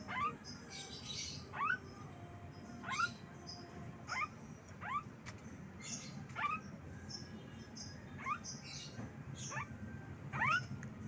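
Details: Pet Javan myna repeating short rising chirps about every second or so, a long regular series of upward-sweeping notes over faint background rumble.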